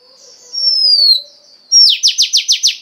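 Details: Female Oriental magpie-robin singing to stimulate the male: a long clear descending whistle, then a fast burst of six rapid downward-sweeping notes, all very high and clean.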